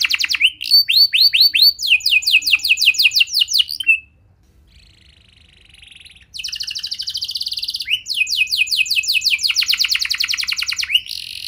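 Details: Canary singing used to trigger song in other canaries: bursts of fast trills and falling whistled notes, a quiet faint buzzy pause of about two seconds, then renewed rapid rolling trills.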